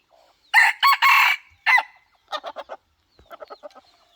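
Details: Decoy rooster crows loudly in four hoarse, ragged bursts ending on a rising note, then gives quick series of short clucking notes, about four per second, with small chirps in the background.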